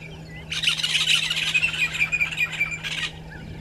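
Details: Violet-backed starling, one of a pair at a nesting tree by a waterhole on Djuma Game Reserve, Sabi Sand, South Africa, at dawn (05:48) in December, giving a harsh chattering burst of high squeaky notes, about two and a half seconds, over a low steady hum.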